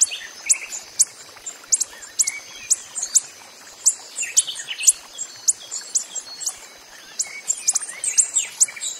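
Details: Wild coppery-headed emerald hummingbird giving a rapid series of sharp, very high, thin chips, roughly two per second, some doubled, over a steady high hiss with faint softer chirps lower down.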